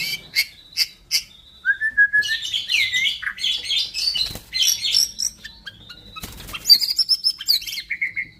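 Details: Fifth-generation Bordanias x Balak Sabang cross white-rumped shama pouring out high, buzzy chatter mixed with sustained clear whistles and sharp repeated chips, plus a brief burst of wing-flutter noise midway.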